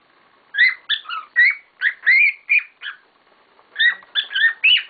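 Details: Several pet cockatiels in a noisy chorus: a lively series of whistled chirps, rising and falling notes, then a pause and another quick cluster.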